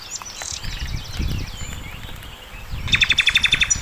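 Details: Sikatan londo flycatcher singing energetically for a songbird training master recording: scratchy high warbled notes at first, then a fast, evenly pulsed series of sharp ringing notes to the end, with low rumbling background.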